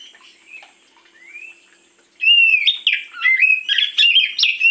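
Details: Oriental magpie-robin (kacer) lure song in the morning: soft, faint rising whistles for two seconds, then a sudden loud outpouring of varied whistled and chattered notes, bright, rapid and changing phrase by phrase.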